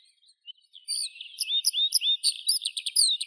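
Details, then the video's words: A Eurasian skylark pours out a fast, high, unbroken stream of chirps, trills and slurred whistles, with no other sounds. "Skylark Birdsong"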